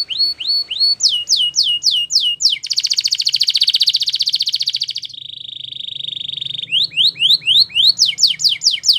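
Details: Belgian canary singing a training song for young canaries: repeated upslurred whistled notes, then a fast buzzy rattling trill, a steady flat trilled tone, and a return to rising swept notes in quick series.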